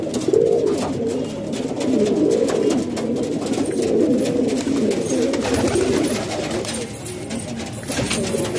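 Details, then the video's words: Hobby pigeons indoors in Pakistan produce soft, throaty coos, several overlapping rolls repeated every second or two, over a rustling background of wings and movement. "Pigeon Sound"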